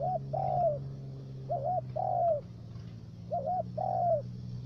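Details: Spotted dove, a three-note decoy bird used for trapping in the U Minh area of Ca Mau, Vietnam. It gives three cooing phrases, each a short wavy note followed by a longer falling one. A steady low hum runs underneath.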